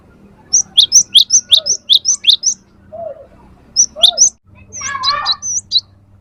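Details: Cinereous tit lure song for training kept birds: rapid paired high-low whistled notes in a run of about nine, then a short burst, with a jumbled warbling phrase of another bird near the end.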